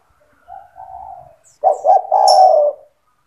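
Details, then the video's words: Spotted dove song for training young doves: a quieter, distant-sounding coo phrase followed by a loud, close one of two short notes and a long falling coo, with a brief high chirp. "SUARA TEKUKUR GACOR BAGUS UNTUK MELATIH MENTAL TEKUKUR MUDA BIAR IKUT BUNYI MANGGUNG"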